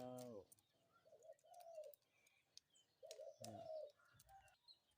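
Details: Morning cooing of a spotted dove: two soft phrases of short notes leading into a longer coo, opening with a brief loud harsh call from another bird and set against a low hum and light clicks.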